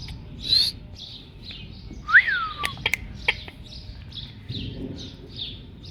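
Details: Talking Indian ringneck parakeet imitating a cat's voice: one drawn-out whistled note that swoops up and then slides down, meow-like, set among soft repeated chirps and a few sharp clicks.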